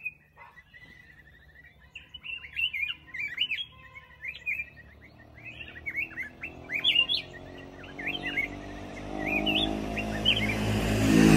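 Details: Black-crested bulbul pouring out a long series of rapid chirped and slurred whistles, while a rushing broadband noise swells steadily toward the end.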